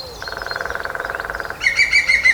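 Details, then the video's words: Dead tree trunk drummed by a lesser spotted woodpecker, Grathem, Netherlands, March afternoon. A rapid machine-gun roll lasts just over a second, then a louder bird's sharp, repeated high chirps follow. "Lesser Spotted Woodpecker drumming on Wood"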